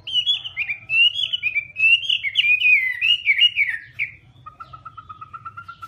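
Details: Chinese hwamei delivering a rolling, warbled whistled phrase for about four seconds, followed by a thin, evenly repeated series of quick notes at a steady, lower pitch.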